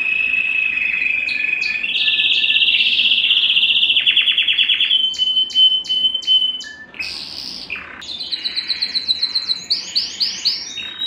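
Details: Belgian canary song played to stimulate males and rouse females for breeding: long rapid rolling trills, first steady then stepping higher, breaking into short clipped notes and fast rising chirp series near the end.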